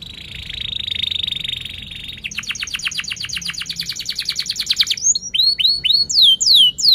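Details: Rolling canary song used to train young canaries and restart birds that stopped singing: a level buzzy trill, then a long fast series of clipped repeated notes, then bright sweeping downslurred chirps.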